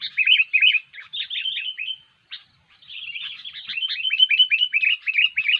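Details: Sooty-headed bulbul, known locally as kutilang, singing persistently for use as a lure in bird trapping; bright chattering phrases of quick warbled and whistled notes, rapidly repeated, with a brief pause midway.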